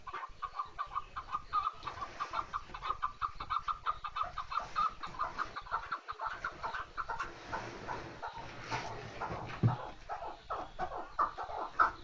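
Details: A chukar partridge calls in a dense, rattling series of clucks, and the rhythm loosens and becomes more uneven in the second half.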